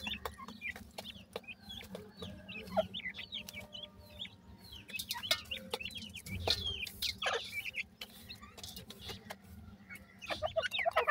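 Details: Francolin chicks in summer, described as happy, giving many short rising chirps, some thin and high, scattered across the clip amid sharp tapping and clicking noises and a low steady hum.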